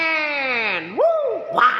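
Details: Common hill myna uttering a long, richly harmonic nasal note that falls steadily, then a quick upswept whoop and a second short rising note, with excited onlookers talking around it.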